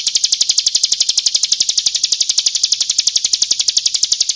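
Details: Lure call of a female Bar-winged prinia seeking a male: a steady, continuous high trill of rapid, very regular ticking pulses, nearly four per second-group, filling the whole stretch without a break.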